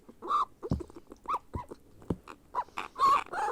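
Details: Begging grey parrot chick during hand-feeding: scattered hoarse, arched squeals separated by low thumps and clicks, ending in a louder strained wail.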